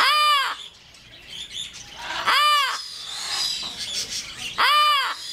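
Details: Pet yellow-naped amazon gives loud, harsh caws with a rich harmonic ring, three calls spaced about two seconds apart, with quieter chatter between.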